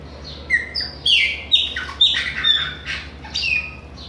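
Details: Singing Chopi blackbird from Bahia, a fast chain of clear whistles, some flat and sustained, others swooping down, delivered about twice per second with no pause, over a soft hum.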